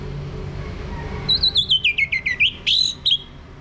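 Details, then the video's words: Orange-headed thrush lure song, ngeplong style, meant to prompt a male to sing: a rapid run of bright whistled notes stepping down in pitch, then a short, louder rich whistle, against faint low background hum. "ANIS MERAH Mau Berbunyi Ngeplong"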